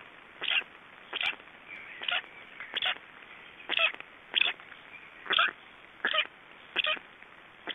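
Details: Estonian black storks after swallowing a big fish: loud, rasping, strongly repeated calls, about nine clear bursts spaced under a second apart, harsh and noisy, with faint hiss between them.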